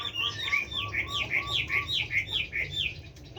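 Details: Caged Chinese hwamei singing a series of repeated rich whistled phrases, looping notes near the upper middle register delivered about twice a second, with a steady low hum beneath.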